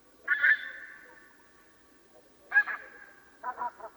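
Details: Swans heard before dawn give three honk bouts: a loud nasal call trailing into a long tone, a second bugle-like honk after a two-second pause, then a double clipped honk at the end.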